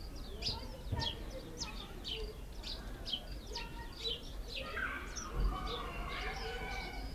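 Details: Cape sparrows in Namibia, living close around households: a steady series of short, bright chirps repeated about every half second, with a low background rumble throughout.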